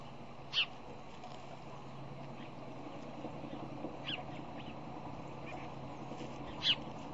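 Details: Bald eagle at a nest on the fish hatchery in Decorah, Iowa, filmed by nest camera on a morning in February 2010 during nest visits with bowl digging; three sharp, high chirps spaced seconds apart over steady background hum.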